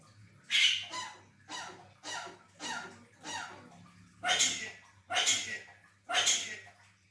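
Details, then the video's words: A Javan myna, able to cough, sneeze and say "selamat pagi", gives seven harsh, breathy bursts about a second apart, like imitated coughs and sneezes, over a faint low hum. "Burung jalak kebo bisa batuk,bersin dan ucap selamat pagi"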